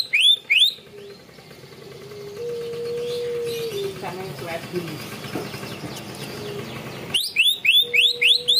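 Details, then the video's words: Greater green leafbird in 'ngunci kenari' song material: fast bursts of sharp, rising whistled notes with harmonics, about five per second, at the start and again at the end, with a low steady tone and hum between. "cucak ijo materi ngunci kenari"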